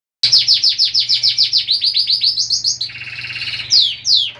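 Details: A pet canary sings a fast rolling trill of repeated bright notes, about three per second, shifting into a buzzy rattle and then sharp upslurred whistles.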